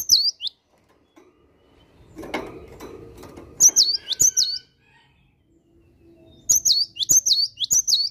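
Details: Cinereous tit singing vigorously in the morning: bursts of high, sharply swooping whistled double notes repeated quickly, in three separate runs with quieter rustling and low noise between them.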